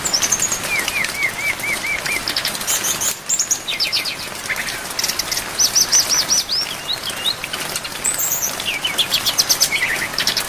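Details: Brown-chested jungle flycatcher in a training recording for songbirds, with rain. Rapid series of high whistled notes, short repeated chip runs and slurred phrases, set against constant heavy rain.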